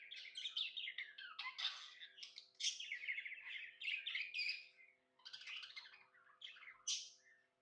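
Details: Happy budgerigar chirping continuously: a busy stream of scratchy warbles and quick whistles, ending with a sharp high squeak; low steady hum underneath.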